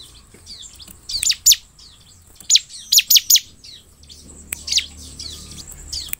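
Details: Bar-winged prinia song played to prompt caged birds to answer: bursts of sharp, high downslurred chirps in clusters of two or three, separated by pauses, over a faint steady whine and low hum.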